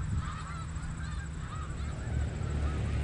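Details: On the Richelieu River, a flock of snow geese honks constantly, short arched nasal notes repeating rapidly among many callers, against a loud low rumble.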